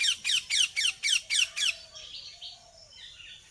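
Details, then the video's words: A ringneck parrot gives seven harsh, shrill, down-slurred screeches, about four a second, then fades into softer chatter and faint whistles. "Ringneck Parrot"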